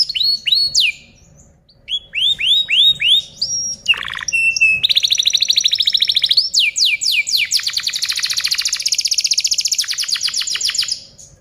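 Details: Canary tutoring song (masteran) for other birds: curved whistled notes in quick runs, a sharp descending sweep, then long rapid rolling trills and fast repeated slurs lasting several seconds.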